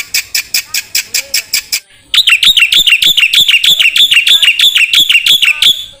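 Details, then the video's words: Black-winged myna song used as a training recording for songbirds: a run of short, evenly spaced clicking notes, a brief pause, then a rapid chain of bright, high whistled chirps repeated about three times per second. "MASTERAN KICAU Jalak Putih"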